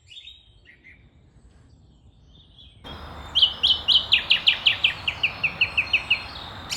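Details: The first song thrush of the year sings at the end of winter, heralding spring: a bright, quick series of about a dozen repeated high notes, slightly falling, after a few faint chirps and soft outdoor background noise.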